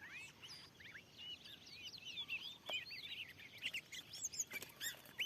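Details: Wild Oriental magpie-robin, described as very fierce, at a newly set lure site in a field; sweet whistled phrases and slurred notes at moderate volume, with a few sharp clicks and steady background hiss.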